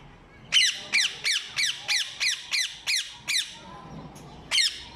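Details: Rapid series of harsh, grating squawks from ring-necked parakeets, about ten calls in quick succession at roughly three per second, then a brief gap and one final screech.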